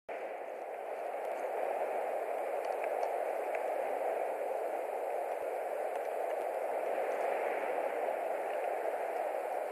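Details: Steady static hiss that swells slightly early on, with no animal voice.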